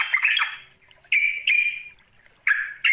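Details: Sooty-headed bulbul calling a rival: a short jumbled burst, two clear steady notes, then brief bright notes after a pause.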